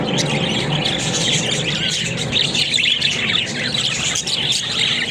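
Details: Busy high twittering and warbling from pet budgies, described as talking. A steady low background hum is present throughout.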